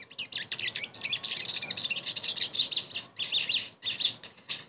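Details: Sogon (crested jay) pancingan song, played so a bird that has stopped singing sings again; continuous fast, buzzy chatter with warbled, wavering high notes throughout.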